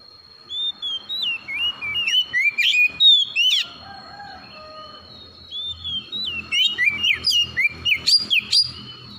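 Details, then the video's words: Morning calls of an Oriental magpie-robin: quick runs of varied whistled notes, rising and falling, in two groups, with rustling and clicking noises beneath and a constant high tone throughout. "PANGGILAN KACER PAGI HARI"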